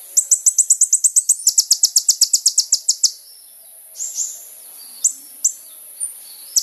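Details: Kolibri ninja sunbird singing energetically, used as a lure recording. It opens with a rapid, steady series of about twenty high, sharp ticking notes over three seconds, followed by scattered single high chips and soft slurred notes.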